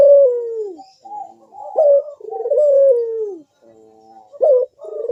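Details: Puter dove singing in the bekur style, used to prompt other doves to sing: a falling coo, clipped notes, then another long descending coo, followed by soft notes and two short sharp ones, recorded indoors.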